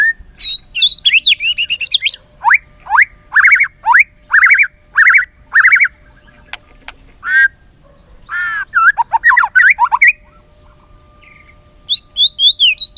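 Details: White-rumped shama song for training other shamas: bursts of rapid rising chirps in regular clusters with brief pauses, a mid-length rattle, then more high rising notes; a faint steady hum runs beneath.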